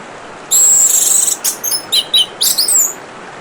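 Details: Orange-headed thrush song opening with a sustained, very high shrill phrase, followed by a series of short, varied whistles and chirps in quick succession, over steady running-water hiss.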